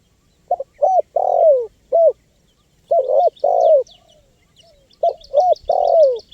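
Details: Spotted dove cooing used to lure wild birds, three phrases of quick coos ending in a longer descending coo, with thin high twittering from small birds in the background.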